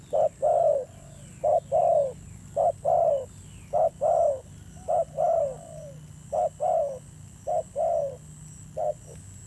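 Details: Spotted dove giving a fierce-toned thổ gù cooing; wild-caught bird judged fairly handsome. Low cooing in short-long pairs, a clipped note then a longer downslurred coo, repeated about once a second, faint chirps in the background.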